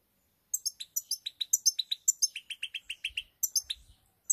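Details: European goldfinch singing, recorded 7 March 2021: a fast run of bright, high twittering notes, sharp chips alternating with slightly lower buzzy syllables at about two per second, going quiet before the end.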